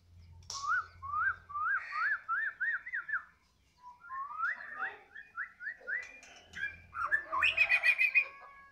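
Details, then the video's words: White-rumped shama, described as a 'balak 6' bird, singing steadily right after being fed: a run of six quick rising whistled notes, then varied slurred whistles and a harsh, chattering burst at the end; a low hum underneath. "habis di KASIH makan balak 6 langsung kepantau gacor"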